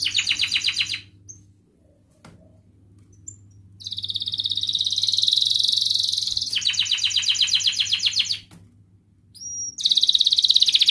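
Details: Canary singing as a lure for lazy canaries, in mbarong and ngerol styles. A trill fades into quiet with a few faint chirps. Then come long, buzzy, rattling rolls, a pair of bright upward whistles, and a final roll.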